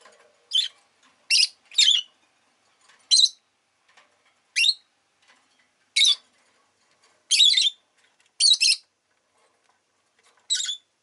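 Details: Rosy-faced lovebird calling with sharp, high, grating chirps, singly or in pairs, repeated irregularly about once a second over eleven seconds.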